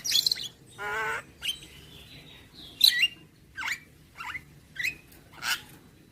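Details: Javan myna singing a varied, full medley: harsh squawks, a buzzy harmonic note, and sharp rising chirps in separate bursts about every half second to second.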